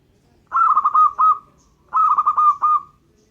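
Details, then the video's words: Vigorously singing local zebra dove gives two matching phrases of quick, clipped staccato coos, each about a second long and trailing into a short held note, separated by a brief pause on a clean, quiet background. "suara perkutut lokal gacor"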